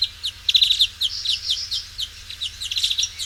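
European Greenfinch giving quick bursts of high, ringing twittered notes in rapid runs, with a low steady hum underneath.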